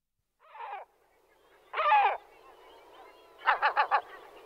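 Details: Great black-backed gull: three separate harsh, hoarse calls, a short one, a longer one, then a quick run of four clipped barking notes at the end, with quiet between them.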